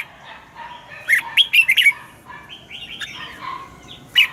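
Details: Red-whiskered bulbul, kept caged, giving morning song in the wild double-note style for training: a tight cluster of four or five bright, fluty, warbled notes near the middle, with quieter similar phrases before and after and a final chirp.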